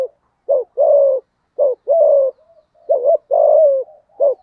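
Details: Spotted dove calling in thổ style to rouse a rival male: deep soft coos in paired units, a clipped note leading into a longer level-to-falling hoot, repeated steadily.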